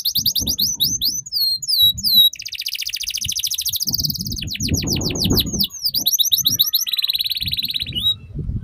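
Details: Canary tutor song meant to teach young canaries the ngeriwik style: fast high rattling trills, rising and falling whistled sweeps, then a steady buzzy trill, with low thumping knocks underneath.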